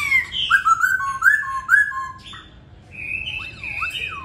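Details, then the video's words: Masked laughingthrush singing bắt cô chói cột, a loud sequence of short whistled notes stepping between pitches, followed by softer warbling and a wavering, sliding whistle near the end. "Khướu hót Bắt cô chói cột"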